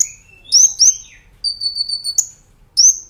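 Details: Brown-throated sunbird master recording for training cage birds, active 'nembak ngerol' style: sharp high upslurred whistles, a buzzy held note with a faint higher overtone, then another quick rising whistle.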